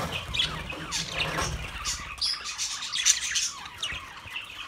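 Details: Caged budgerigars in a large aviary cage, recorded 9 March 2024: dense overlapping chirps, squawks and warbling twitters from several birds, with a low rumble through the first half.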